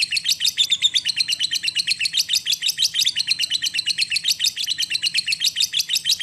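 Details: Long ngekek from a lovebird, a bait sound for coaxing silent birds into song: dense, high-pitched, rattling chatter of rapid pulses, somewhat uneven in spacing, continuing throughout.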